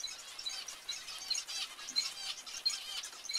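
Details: Zebra finches giving short, high, nasal calls repeated irregularly about every half second, over a steady hiss of background chatter.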